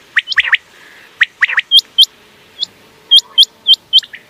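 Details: Common quail calls, presented as a night-time sound for hunting: sharp, hooked whistled notes repeated about every quarter second, with separate lower downslurred chirps early on and near the end.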